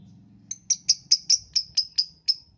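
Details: Morning lovebird sound used to prompt other lovebirds into singing: a quick run of about nine shrill, high chirps, roughly five per second, following a low murmur at the start.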